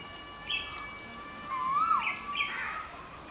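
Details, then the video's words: A green pigeon, possibly a yellow-footed green pigeon, gives mellow, wavering whistles that rise and fall, with a few brighter higher notes, over a faint steady ringing tone. "Green pigeon | हरा कबूतर"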